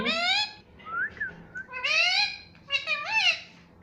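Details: Speech-like phrases from a pet parrot trained to say "mummy papa": rounded voiced syllables with rising and falling tone, delivered in three quick word-like bursts indoors.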